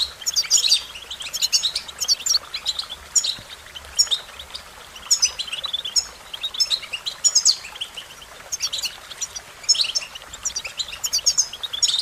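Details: American goldfinch song in repeated high twittering phrases about every one to two seconds, each a fast cluster of sharp chirps and warbled notes, with a steady low hiss behind.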